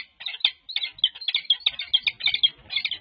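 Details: A wild peregrine pair bonding with beak kisses on Valentine's Day 2024 at a UC Berkeley nest ledge; continuous excited chattering, rasping notes run in quick uneven bursts.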